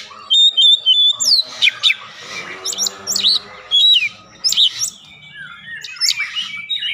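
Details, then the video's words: Lure song of an Oriental magpie-robin, meant to set a bird singing: a clear sustained whistle, then sharp downslurred notes and scratchy phrases in irregular bursts. "pancingan Kacer langsung buka paruh GACOR"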